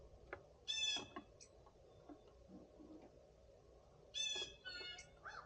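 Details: Three blue jays with a flock of birds on a spring Sunday morning: two bursts of harsh, buzzy, harmonic calls about three and a half seconds apart, with faint scattered chirps and soft clicks between them.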